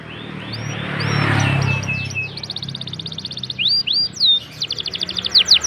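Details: Canary in full song: high upslurred whistles lead into fast repeated trills and rapid stacked notes in the second half, with a muffled low thump of noise near the start.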